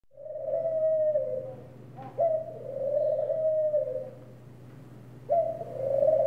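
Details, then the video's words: Ring doves cooing: a short clipped note, then a long, smooth, rolling mid-pitched coo that slowly fades. The pair repeats about every three seconds over a steady low hum. "The Sweet Serenade of Ring Doves"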